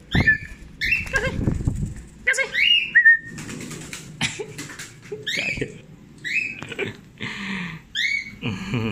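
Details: A free-flying cockatiel gives repeated bright, rising whistled chirps while a person nearby calls out to it.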